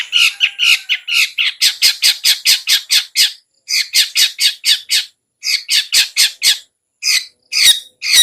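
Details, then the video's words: Long-tailed shrike's 'ngetet' chatter, meant to trigger singing in sluggish birds: loud rasping squawks in fast runs of about eight to ten notes, broken by short gaps, ending in scattered single squawks. "SUARA CENDET NGETET"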